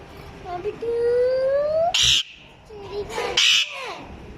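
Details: Pet parrot copying the voice of a small child: a long, clear, rising whistled tone with harmonics, followed by two loud, harsh squawk-like bursts and softer speech-like sounds.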